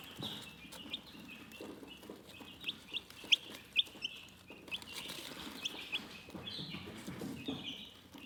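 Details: Relaxed chickens chirp almost without pause, with thin high peeps running together in quick, uneven runs, plus a few sharper louder notes and faint scratching.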